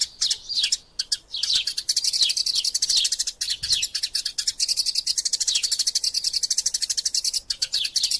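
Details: Eurasian tree sparrow giving vigorous fighting calls: a dense, nonstop stream of high, sharp chirps and twittering notes, several per second, with brief downslurred tweets running throughout the eight seconds.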